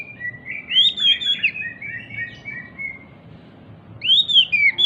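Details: Oriental magpie-robin, described as agitated and jumping, used as a lure to make magpie-robins that have stopped singing reply. A rapid run of bright, fluting whistles and warbled trills fades to softer notes, then a loud, swooping whistle returns at the end.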